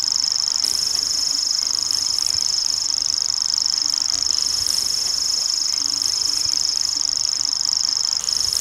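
A common grasshopper warbler reels without a break, a high, dry, insect-like trill held steady for the whole stretch, with faint rustling noise below.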